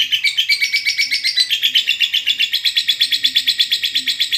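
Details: Sustained ngekek from a lovebird, used to prompt unwilling birds to sing: evenly spaced, rapid raspy chirps, nearly three per second, forming a steady high-pitched chattering roll.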